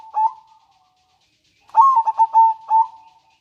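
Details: Local perkutut, the zebra dove, in manggung and nretek song used to lure doves and stir breeding: one short coo, a pause, then a fast trilled run of soft coos ending in a drawn-out note.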